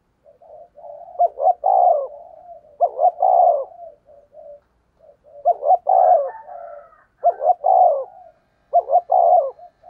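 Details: Repeated lure cooing of a spotted dove to attract wild birds: five low, husky phrases of stuttering short coos ending in a longer note, separated by soft murmured coos.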